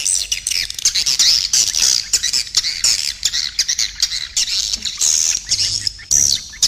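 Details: Edible-nest swiftlet calling sound used to lure birds to a nesting house; shrill, squeaky chattering and scratchy high chirps pouring out almost continuously, with short breaks.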